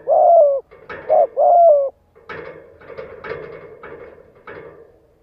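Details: Spotted dove cooing meant to provoke decoy males into cooing back: two low, hollow phrases of a short note and a longer sliding coo, followed by several seconds of clattering, knocking noise.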